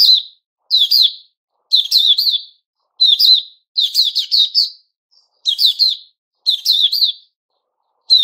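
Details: Song of a white-crowned shama in new plumage: short, busy phrases of sharp high chirps and trills, repeated roughly every second with brief pauses between.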